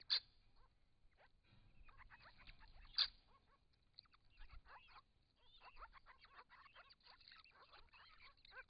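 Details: Group of six wild grey-crowned babblers at a pond in regional Victoria, Australia, in hot weather, bathing and calling to each other. Busy, squeaky, rapid mid-to-high chatter with two sharp, loud yelps and faint splashing, caught on a camera trap.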